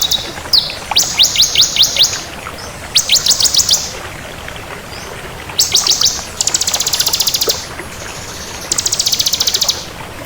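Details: Crystal bar-winged prinia in energetic song, several bursts of fast, high, evenly repeated notes, some dry and rattling, separated by short pauses; soft background hiss.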